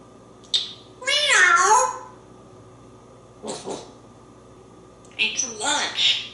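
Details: A male pet African grey parrot, on his way to the kitchen, mimics a cat with a long, wavering meow, then gives two shorter chattering, speech-like bursts in a quiet indoor room.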